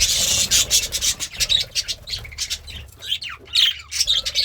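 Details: Pet budgerigar, happy and eating greens, mixes clicking, crunching sounds with quick squeaky chirps and raspy warbling in rapid bursts.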